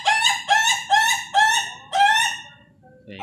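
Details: Laughing chicken of national contest quality giving a crow of five strong, rising syllables about half a second apart, fading at the end.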